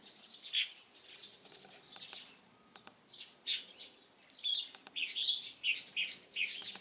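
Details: Light-vented bulbul recorded 16 April 2023; scattered chirps build into a dense, lively series of sharp, piercing notes in the last seconds, with a few faint clicks between.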